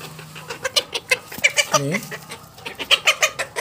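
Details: Showgirl Silkie chicks cheeping in short, high, bright peeps about every quarter second, with a person's low voice briefly in the middle; the chicks are being sexed by voice, one heavier-voiced chick is probably male, and the brood is likely one male and two females.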